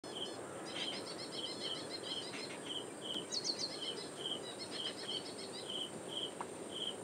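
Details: Ashy prinia calling loudly in reed beds at Powai Lake, Mumbai, India, 1 October 2022, captured with a directional microphone: a steady series of clear, sharp notes repeated about twice a second, with a constant high insect hiss behind.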